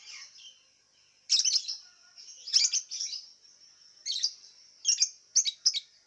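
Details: Lovebird competing in an online singing contest, Singkawang, West Kalimantan, kept caged: sharp, strident chirped bursts broken by short pauses, six or seven outbursts in six seconds, with a constant high-pitched hiss behind.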